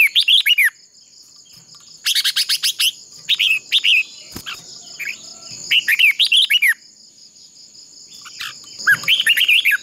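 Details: Decoy red-whiskered bulbul giving contest song to train other birds: repeated bursts of quick, ringing, downward-curving warbles separated by pauses, over a continuous high-pitched insect chorus.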